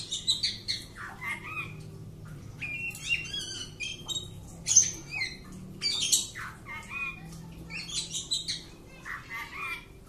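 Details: Oriental magpie-robin kept at home, recorded during a courage test, singing a varied run of short harsh squawks mixed with clear whistled notes and quick chirps, phrases coming in bursts with brief pauses; low indoor hum underneath.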